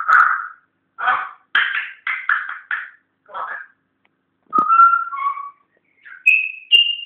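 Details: Learning to talk at home, a pet African grey parrot mixes choppy speech-like syllables with clear steady whistles, first lower and falling, then two higher held tones at the end.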